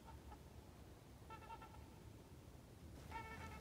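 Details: A few trumpeter swans (Cygnus buccinator) fly by and trumpet on an unseasonably warm January day by the St. Croix River in Wild River State Park. Nasal, horn-like honks come in short bursts over a steady low wind rumble.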